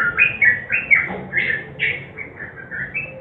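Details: Sooty-headed bulbul, gacor nguklik song mixed with garuda, meant to prompt quiet birds to sing: bubbly, fluty phrases of quick up-and-down whistles, roughly two notes a second, with a soft background hum.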